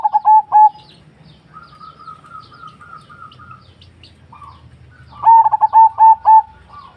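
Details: Zebra dove cooing: soft, mellow trilled phrases of quick stuttering notes, a brief phrase at the start, a thinner run of even notes in the middle, then a louder rolling burst of repeated coos near the end.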